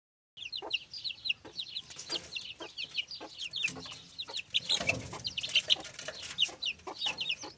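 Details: Chicks peeping and hopping about, a rapid run of short high chirps repeated many times, with several birds overlapping and some clicks and bumps in the background.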